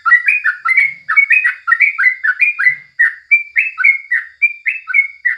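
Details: Yellow-vented bulbul (crucukan) tutor recording from the morning: fast, lively chattering warble of overlapping slurred notes, later settling into clearer separate chirps about two per second.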